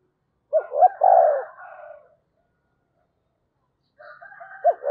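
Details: Spotted dove used as a decoy, calling: two quick hooked notes and a long coo with a softer trailing part, silence, then a further phrase with fainter upper tones.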